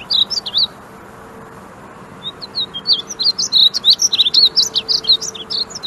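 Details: A male Painted Bunting singing at Wichita Mountains Wildlife Refuge, Oklahoma, gives a brief high phrase, pauses, then pours out a rapid, sweet, jumbled warble of thin slurred notes, over a faint low hum.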